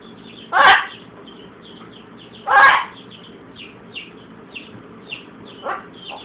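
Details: A blue-and-gold macaw kept as a pet and sick with a cold copies a cough: two loud harsh hacks about two seconds apart, then a softer one, faint high chirps throughout.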